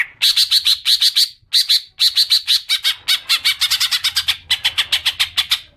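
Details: Common green magpie lure sound to provoke long chattering: a continuous harsh, squawking chatter of evenly spaced rasping notes, about five per second, running with only brief breaks for nearly six seconds.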